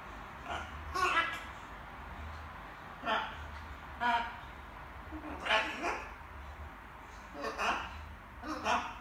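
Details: Evening practice session of a young pet macaw rehearsing words: a string of short, throaty, speech-like syllables, often in pairs, scattered across the stretch over a low steady hum.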